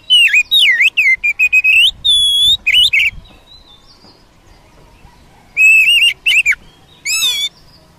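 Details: Oriental magpie-robin in the wild, sung to stir a caged bird: a rapid run of varied whistled slurs and sweeping notes, a pure sustained whistle, a pause, then more twisting phrases and a rich burst.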